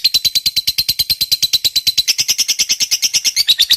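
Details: Lovebird fighter's long ngekek trill for provoking rival lovebirds: a rapid, even chattering run of high scratchy notes, unbroken across nearly four seconds.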